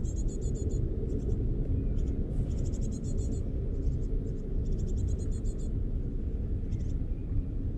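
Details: Great tits on an eleventh-floor balcony in Mariahoeve, The Hague, in May 2023 give short bursts of thin, very high, rapidly repeated notes in quick runs, over a steady low rumble of wind or distant traffic.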